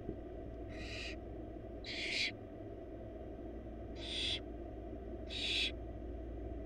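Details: Wild barn owl babies begging while the mother delivers a large rabbit to the four of them in a nest box; four rough, wheezy screeches in two pairs, with hum underneath.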